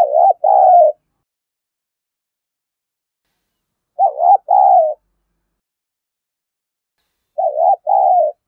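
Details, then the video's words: Three similar low, mellow cooing phrases from a spotted dove in contest-style 'giọng thổ' song, used to provoke fighting. Each is a short doubled hoot followed by a longer falling coo, spaced about three to four seconds apart. "tiếng chim cu gáy thúc đấu vấy bổi nghe nhanh gáy và gấy ức chế cao"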